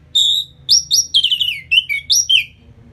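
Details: Orange-headed thrush song used to stir a bird into aggression after moulting: a loud, continuous phrase of clear whistles, upslurs and downslurred notes, delivered rapidly for about two seconds.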